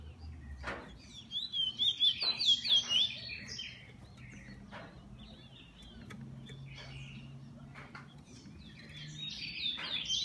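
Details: Kept bullfinch singing a short, high, pulsing phrase early on, then mostly quiet with scattered clicks before a final snatch of song.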